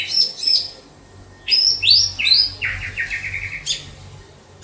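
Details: White-rumped shama, a kept bird in Banda Aceh, gives bright high whistles, rising upswept notes, then an even run of about eight repeated stuttering notes before a last sharp chip.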